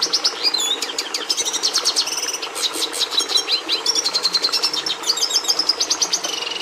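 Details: Song of a red siskin: a long, busy stream of high twittering with rapid stuttering trills, short buzzes and bright whistled slurs, closely packed from start to end.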